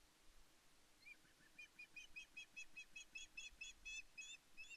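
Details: Female osprey on Loch Arkaig Nest One, Scotland, 5 May 2024, calling to her mate for fish while he ignores her; rapid run of sharp, high chirping yelps, about two or three per second, growing louder after a soft start.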